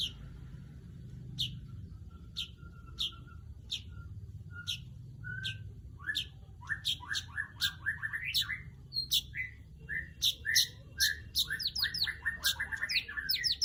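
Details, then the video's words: Weaver calling: sharp high chips spaced about a second apart, then quickening into a dense run of rapid downslurred chirps and buzzy trills toward the end, over a faint low hum. "Crecet .. Cret ..!! SUARA PANGGILAN BURUNG MANYAR"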